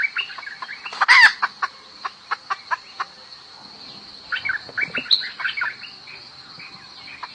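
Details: Hen calling for the rooster: one loud, harsh squawk, then a run of evenly spaced clucks. Later comes a looser cluster of chattering notes, over a faint steady high-pitched hum.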